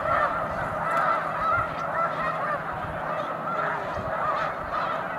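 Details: Snow geese, large flock on Cayuga Lake in the afternoon, 20 March 2021: individual high nasal honks stand out roughly twice a second above a background murmur of the rest of the flock.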